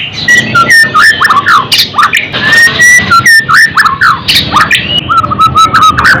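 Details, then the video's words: White-rumped shama song for training songbirds: an uneven series of whistles, slurred notes and squawky bursts, with a low background hum throughout. "Suara,murai batu ,Untuk isian,naikkan Emosi."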